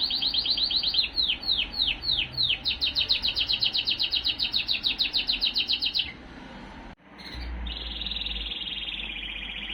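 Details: Male Timbrado canary sings rapid, metallic rolling tours and bubbling repeated notes for six seconds, then resumes with a fast high trill after a brief gap.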